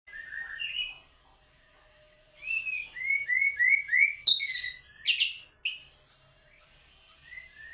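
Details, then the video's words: White-rumped shama song: clear whistled phrases, then a run of rising slurred notes, followed by harsh bursts and sharp high repeated whistles spaced about half a second apart, with a quiet pause early on. "maculnya Mantep"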